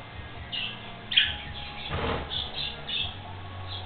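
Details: Two young pet budgerigars, kept about five weeks, chirp playfully in short, scratchy bursts of high warbling notes, repeated irregularly, over a low hum, background radio and a video playing their own voices.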